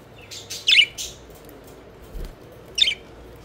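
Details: Pet budgies having fun and flying, with a loud cluster of rapid high chirps and squeaks early on, a soft thud in the middle, then one more sharp chirp burst near the end.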